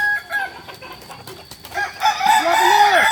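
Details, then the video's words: Kokok Balenggek rooster at joint crowing practice in Ampang Kualo, Solok city, West Sumatra, Indonesia; after two seconds of faint background chatter, a loud crow bursts in with stepped, arching notes that rise and then drop steeply at the end. "Ayam kukuak balenggek"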